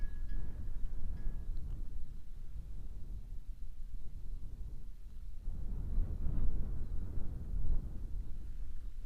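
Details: Low wind rumble and distant vehicle-like noise outdoors, with no animal calls.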